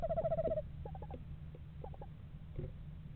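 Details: Eastern screech owl pair in November, inspecting a yard nest box: a half-second monotone trill, then scattered soft, short hooted notes at a similar pitch, with low background rumble.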